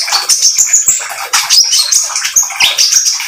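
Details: An oriental magpie-robin pours out rapid, buzzy high chirps and squeaky notes in an uneven, restless flow. This lure song is meant to make other magpie-robins join in.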